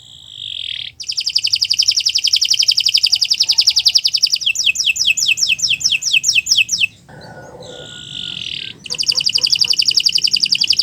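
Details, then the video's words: Canary training song: after a short tone, a long rapid buzzing trill gives way to quick descending whistles, a brief harsher pause, then the fast trill again. "Kicau Burung Kenari 178 II LUAR BIASA GACOR PANJANG Cocok untuk Masteran"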